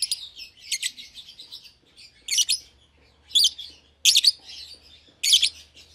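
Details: Pair of young lovebirds, albino with red eyes and euwing green opaline, moved to their own cage; loud piercing chirp bursts roughly once a second over a bed of softer buzzy twittering.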